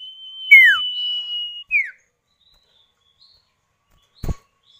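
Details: Male and female common iora answering each other as a lure for other birds. A steady high whistle carries a sharply falling note, and a second descending note follows. After silence comes a short dull knock.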